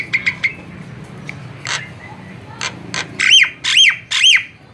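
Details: Javan myna recorded for use as a lure: a few sharp clicks, then scattered harsh notes and three loud descending whistled squawks near the end over a low background hum.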